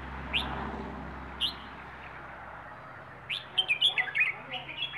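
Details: Rayong wild bird, plai ho song style. Two isolated sharp upslurred notes open the passage, then after a pause a quick series of bright chirping notes, repeated several times at the end.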